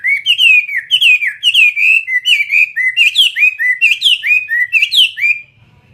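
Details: Fighting-style Chinese hwamei (họa mi chiến) in steady song: a fast run of clear, looping whistled notes, rising then falling, roughly one and a half per second, ending abruptly in near silence.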